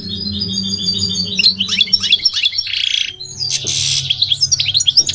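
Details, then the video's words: Goldfinch described as migratory: twittering, tinkling song phrases broken by two short bursts of rough hissing noise, with a low hum in the background. "The elegant migratory goldfinch sings the most beautiful singing"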